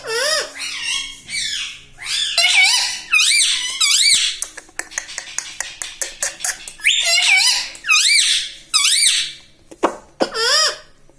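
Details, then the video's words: Pet ring-necked parrot in a small room chattering words like mummy, papa and radhe radhe: long strings of loud, squeaky, pitch-swooping syllables broken by rapid clicking taps in the middle. "Parrot talking mithu mithu || mai bolunga || मम्मी पापा बोलता तोता"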